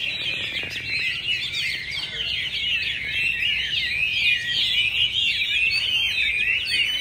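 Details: A Chinese hwamei trained for a 17 December singing contest, during very cold days in Hanoi, pours out a long, unbroken run of rich, fast, varied whistled phrases, rising and falling sweeps with no pauses, against a faint background hum.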